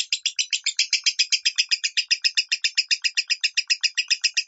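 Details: Lovebird voicing the minor tone, meant for teaching a kept bird: dense, rhythmic chattering of bright, scratchy notes at around four per second, unbroken.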